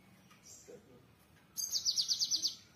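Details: Java sparrow, given by its local name gelatik wingko, singing: a brief faint high buzz, then a rapid bright series of about eight clipped, high chattering notes repeated in quick succession toward the end.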